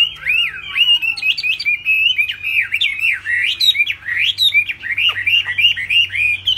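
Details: High-pitched laughingthrush song, delivered with tail flicking; loud, fluid whistled phrases that wobble up and down in a continuous stream, broken by short sharp downward flicks.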